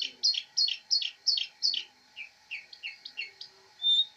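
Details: Long-tailed shrike master-bird chirping, called a fighter: a fast series of paired high chirps, then lower downslurred notes and a final thin whistle.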